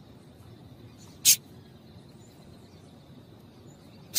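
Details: Female yellow-bellied seedeater call used to stir males into singing: a single sharp, high-pitched chip near the middle, then the start of another at the end, with faint steady hiss.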